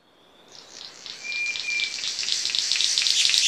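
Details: King of Saxony bird-of-paradise: a faint high whine gives way to a swelling, crackly hiss that breaks into rough, irregular buzzy pulses, growing louder toward the end.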